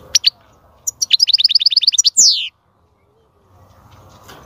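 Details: European goldfinch song meant to stimulate a female to mate and breed: a few sharp chips, then a fast run of about a dozen bright repeated notes ending in a descending buzzy sweep, followed by near silence.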